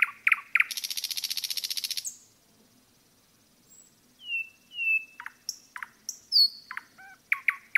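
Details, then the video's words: Nightingale song in a forest, beginning with a few hard notes and a fast metallic rattling trill, a pause, then long pure whistles, high thin notes and sharp clicks. "пение СОЛОВЬЯ в лесу"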